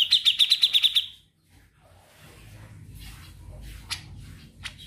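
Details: Grey-cheeked bulbul trilling: a fast run of about eight bright repeated notes lasting one second, followed by faint background noise and scattered soft clicks.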